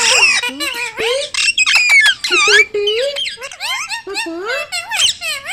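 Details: Pet ringneck parrot rattling off quick, high, word-like syllables with bouncing pitch, about two per second, loud and almost without pause.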